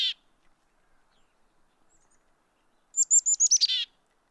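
Black-capped Chickadee chick-a-dee call: a quick series of five high, sharp whistled notes, then a short burst of harsher, buzzy dee notes, after one brief chip.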